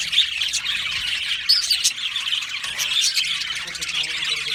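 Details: Australian budgie colony in an aviary, high chirping and a few sharp squawks over constant twitter, with a faint low murmur entering toward the end.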